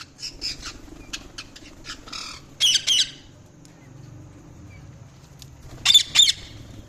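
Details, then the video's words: Parrot calling in short bursts: a scatter of faint high chirps, then two loud harsh squawks near the third second and another pair near the sixth, over a low background hum. "Parrot Chirping Sounds | Parrot calling sound"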